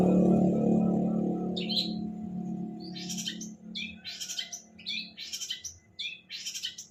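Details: Long-tailed shrike singing: a low droning hum at first, then bursts of bright chirps alternating with harsh, buzzy rasping notes, repeated rapidly and fairly evenly.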